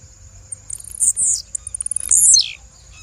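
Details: Female blue-black grassquit giving high, thin calls: a rapid series of ticks, two bright buzzy notes dropping in pitch, more quick ticks, then a final loud descending buzz.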